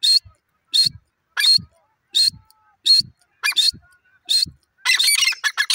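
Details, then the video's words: Female grey francolin calling in Pakistan: loud, harsh, hoarse bursts repeated at a steady pace about every 0.7 seconds, ending in a denser scratchy flurry of notes. "grey francolin bird ka new jora pheasant beaubtiful awaz"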